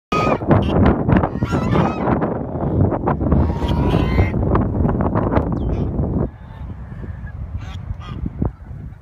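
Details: A large gaggle of geese living around the Marin Civic Center Lagoon, honking constantly and overlapping in a dense, noisy chorus that quiets somewhat after six seconds, with a strong low rumble of background noise.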